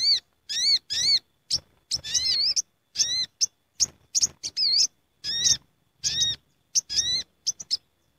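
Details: Noisy gathering flock of sooty-headed bulbuls, a lure recording: a steady stream of short bright chips and rich wavering notes with a rising-then-falling bend, about two dozen bursts a minute, callers overlapping closely.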